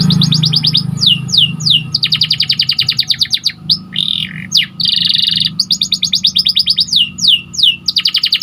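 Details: White canary singing as a tutor recording for training other canaries: fast rattling trills alternate with swooping downslurred whistles and a buzzy rolled phrase, each section a second or two long, with a faint low hum underneath.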